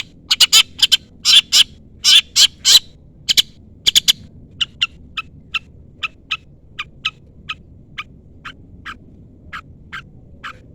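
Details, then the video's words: Long-tailed shrike calling toward a rival to provoke a reply: loud clustered harsh notes at first, then thinner, softer single chips spaced evenly about every half second; no other sounds stand out. "pancingan cendet gacor full isian CUITAN MEMANGGIL LAWAN Ini ahlinya bikin burung cendet Nyaut"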